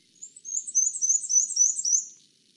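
Black-and-white Warbler song: a thin, very high series of about eight squeaky two-note phrases alternating high and low, like a squeaking wheel, lasting two seconds.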